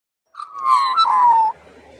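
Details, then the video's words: An Australian magpie carolling by the sea gives one rich, fluty note that wavers and slides gently downward for just over a second, followed by a faint low hum. "Magpie carolling"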